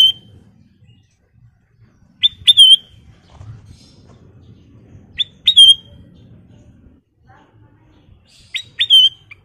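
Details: Lively song from a golden-coloured sooty-headed bulbul: clipped, ringing whistle phrases of two or three quick notes, each ending in a bright held note, repeated roughly every three seconds against a quiet low background murmur.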